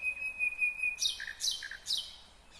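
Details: Nightingale singing in Kyrgyzstan in 2020: a long steady whistled tone, then bright high notes sweeping sharply downward, repeated three times with short lower chirps between them.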